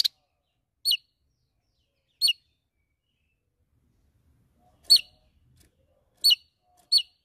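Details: Javan tesia singing to call out a rival: isolated sharp, high, downward-slurred whistled notes, spaced about one to three seconds apart, in otherwise quiet surroundings.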